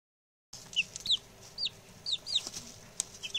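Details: Six newly arrived male chicks, settling in and chatty, give short high downward-slurred peeps, scattered singly and in quick pairs after a brief silence.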